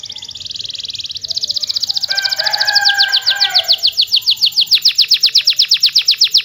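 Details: Canary with a lively rolling song meant to lure quiet canaries into singing: fast repeated high chirp trills around four to eight kilohertz, about four notes a second, with a brief lower warbled phrase in the middle.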